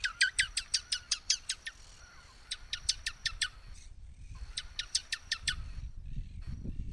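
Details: Swallow-tailed hummingbird chattering in rapid bursts of sharp, dry clicking chips, about ten per burst, three bursts separated by short pauses, with some low rumbling near the end.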